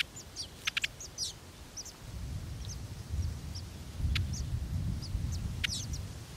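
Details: Sudan golden sparrows while feeding give a scatter of short, high chirps and twittering notes, several overlapping in quick succession, with a few sharp clicks and a low rumbling background.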